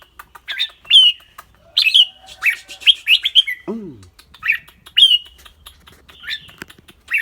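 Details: A caged red-whiskered bulbul from Thailand gives bright, clear whistled notes in quick separate phrases, several per second at times, while a man hums low encouraging sounds in the background.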